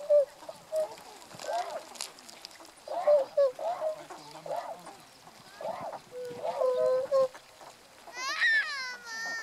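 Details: Tundra swans (Cygnus columbianus), adults with two call types plus a juvenile, recorded on 1 January 2014, give mellow, nasal, bugling hoots in a loose series, then a higher, thinner whistled call near the end, with faint splashing water.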